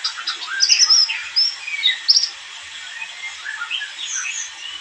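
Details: White-eye vocalisations used as a lure: slurred, sweet whistled notes and short warbling phrases, livelier at first and then softer, scattered chirps toward the end.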